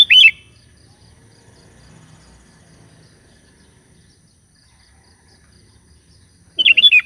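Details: Sooty-headed bulbul calling companions, with two short bursts of lively, warbling chirps, one at the start and one near the end, separated by about six seconds of near silence over a soft low hum.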